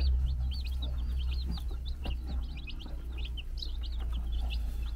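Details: On a farm in the Czech Republic, a brood of four-day-old chicks scurries around beside the mother hen, producing dense, high-pitched cheeping, quick repeated notes from several chicks overlapping, with a heavy low hum underneath.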